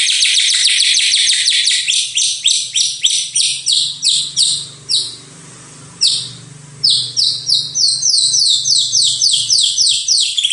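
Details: White-rumped shama on a master track for training songbirds. It gives long runs of sharp, high, downslurred notes about three to four per second. A brief quieter pause comes midway, with a faint low hum underneath.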